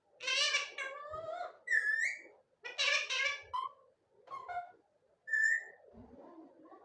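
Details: Parrot talking non stop: bursts of voiced, speech-like chatter with rich harmonics, broken by short rising whistles and pauses, several phrases in quick succession.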